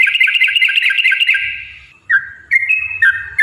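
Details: Energetic 'gacor' yellow-vented bulbul song used as a lure to prompt other birds to sing: a dense run of chirpy bubbling notes, then separate drawn-out whistles dipping and rising, with faint low thumping below.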